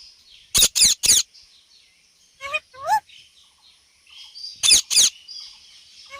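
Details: Indian ring-necked parrot calling: three loud harsh screeches in quick succession, two short nasal squawks after a pause, then two more screeches.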